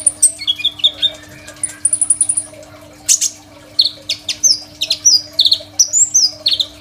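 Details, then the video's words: Crimson sunbird master song for training other songbirds, recorded on an Oppo A37f phone: fast, very high thin trills and buzzy bursts mixed with downward-slurred whistles, in a busy, continuous stream. "KOLIBRI NINJA GACOR FULL ISIAN SUPER MEWAH, 100% COCOK BUAT MASTERAN KONIN BAHAN"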